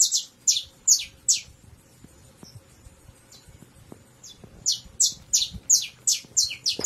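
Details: Saffron Finch, a bird of dry open country most numerous in arid regions of Brazil, singing a run of sharp, high, downslurred chirps, about two to three a second, with a brief pause midway and a faint low hum beneath.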